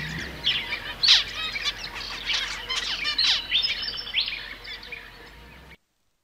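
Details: Zebra finches giving overlapping buzzy, nasal chirps and short rising whistles in an irregular, busy stream that ends abruptly in silence.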